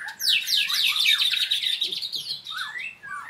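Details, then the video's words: White-rumped shama at a training session, singing actively: a dense, rapid stream of high, sharp whistled and chattering notes, tightly packed and continuous, with a few lower slurred whistles near the end. "murai latihan gacorr"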